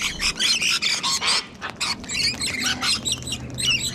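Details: Sulphur-crested cockatoos sharing a Sydney, Australia spot with rainbow lorikeets: a run of loud, rough squawks in quick bursts, then thinner chattering notes.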